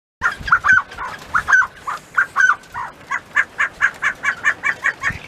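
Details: Mountain quail in their pen, eating treats; a quick series of short clucking notes, about a dozen in five seconds, first uneven and then in a steadier beat, loud and close.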